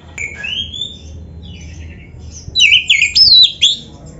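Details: Oriental magpie-robin (kacer) song meant as a training model for caged birds: a soft rising whistle and faint notes, then a loud burst of sharp, zigzagging whistled phrases.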